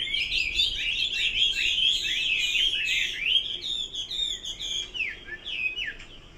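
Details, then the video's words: Chinese hwamei delivering dense, tumbling whistled phrases, bright and rapidly varied, then slowing into spaced, sharply descending notes toward the end. "Kicau burung Hua Mei"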